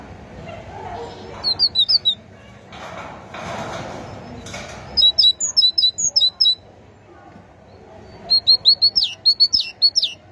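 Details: Three separate bursts of great tit song, each a rapid string of high, sharp two-part notes, separated by pauses filled with a soft broadband rustle and faint low noise.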